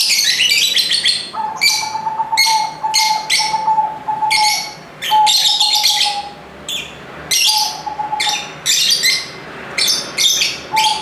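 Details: Busy lovebirds chattering in a group, rapid shrill chirps and rasping squawks coming in clustered bursts, over a steady, even mid-pitched tone that drones beneath much of the sequence.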